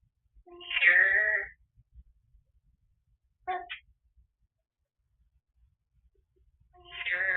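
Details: African grey parrot at home, talking to the TV while no one is there. A loud, rich, speech-like utterance, a brief clipped note, then another loud harmonic phrase at the end, with long quiet gaps between.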